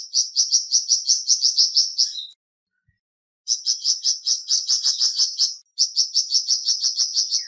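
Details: Flamboyan bird singing, used to get a kept bird to open its beak and sing freely: quick, bright, high notes strung into fast series, pausing briefly before resuming.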